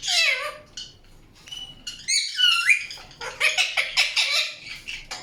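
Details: Indian ringneck parakeet chirping, with a descending whistle, a clear upslurred whistled note, then a quick series of harsh rasping chirps.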